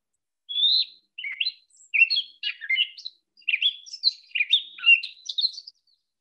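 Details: Western gray catbird from near the western edge of its range sings a jumbled run of squeaky, varied high phrases with mimicry, opening with a rising, burry western wood-pewee imitation and including bushtit notes.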